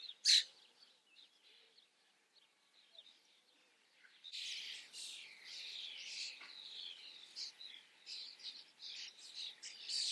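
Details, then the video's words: Common starlings: one sharp loud chirp at the start, a quiet pause, then dense continuous chattering of mixed squeaks, whistles and rasping notes for the last six seconds. "Stare vor der Kamera. Common starling observation"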